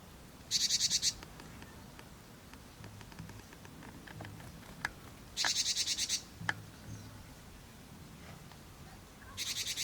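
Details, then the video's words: Hungry newborn nestlings in a nest in spring, calling together in chorus, recorded with a Sony Alpha camera: three short bursts of loud, harsh, high-pitched begging cries, each under a second, separated by quiet gaps with faint ticks and a low hum. "お腹すいた！ヒナたちの大合唱 | Hungry Baby Birds in Chorus"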